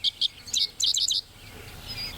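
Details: A Dickcissel, one of a cohort breeding in the Shenandoah Valley grasslands for the first time since 2014, sings two sharp, high chips, then a quick burst of dry, clustered notes, its 'dick-dick-ciss-ciss' song. Faint background hiss follows.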